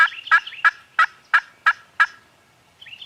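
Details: Gobbling farm turkeys, captured on a Canon G7X: seven loud, rhythmic gobble bursts about three per second, then a quieter warbling trill at the end.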